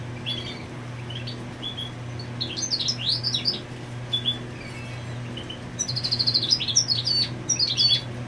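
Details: European goldfinch marking territory while its female nests, singing varied high twittering phrases with bright chirps and a fast metallic trill, irregular pauses between bursts, and a steady low hum in the background.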